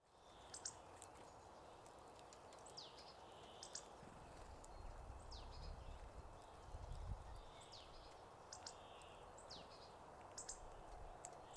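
Hawfinches and a bullfinch give brief, sharp, high ticking and thin whistled calls every second or two over a steady low outdoor rumble.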